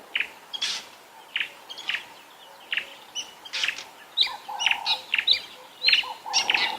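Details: Fork-tailed drongos give sharp, metallic chirps and twangy notes in irregular bursts, calling around a drainage line on a sunrise safari morning, 16 January 2022, amid many other birds and a steady insect drone.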